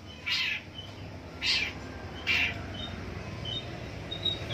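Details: Morning calls of a long-tailed shrike: three harsh, buzzy, rasping bursts about one second apart, followed by faint thin notes against quiet background noise.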